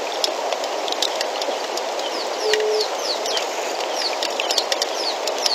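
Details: African bee-eaters at Djuma give many short, high, down-slurred chirps in quick overlapping bursts, over a steady low rumble of wind or distant engine.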